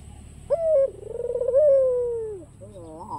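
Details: Cooing of a white black-collared ringneck dove meant to provoke rivals into calling: one long, low, rolling coo that dips, pulses and slowly falls, followed by short rising-falling notes.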